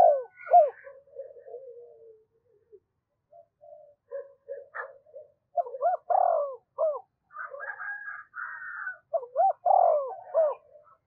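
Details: Spotted dove used as a decoy, calling to draw in wild doves. Soft fragmentary coos lead into several loud, rapidly repeated coo phrases with falling slurs. Scattered whistles and chirps sound in the background.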